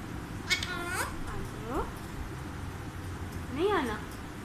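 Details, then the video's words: Alexandrine parakeet talking indoors, giving a few short arched, harmonic speech-like utterances with sweeping pitch and pauses between them, while people speak nearby and praise it. "Alexandrine Parrot Talking"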